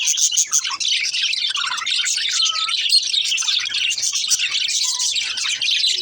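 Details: Baby budgerigar song of continuous bright tweeting and warbling, with a couple of short clear whistled notes within the chatter.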